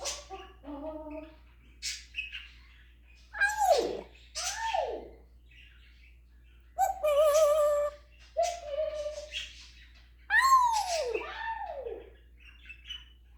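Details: Pet African grey parrot running through its imitation repertoire of words and household sounds: harmonic speech-like phrases, loud downward-sweeping whistles and squawks, and pauses between bursts.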